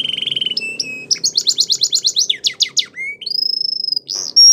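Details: Belgian canary singing a training song: a quick rolling trill, then a run of loud descending whistles repeated about six times a second. Long pure whistled tones on a high pitch follow.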